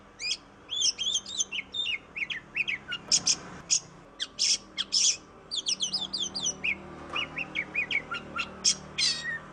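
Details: Oriental magpie-robin in energetic song, played as a lure for birds that are slow to sing: dense runs of quick whistled notes, raspy buzzing bursts, and rapid trills over nearly ten seconds.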